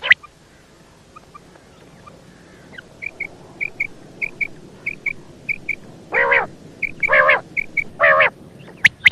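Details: Faint, rhythmic short high piping notes from a female quail build up, then three loud nasal squawks among the piping, over a low background hum.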